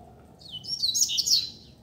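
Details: Double-collared seedeater loose on a street, used as a tutor song for learning: a brief, dense burst of very high, shrill twittering notes over steady low background noise.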